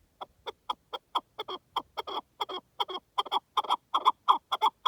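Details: Partridge in the wild giving a steady series of short, clucking chuck notes, some doubled, at a little under two per second, clear against a quiet background.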